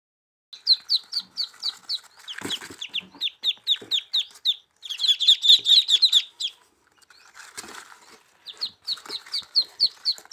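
Muscovy ducklings give rapid, high, thin peeps, several each second, in steady runs. Soft rustling and handling noise breaks in now and then.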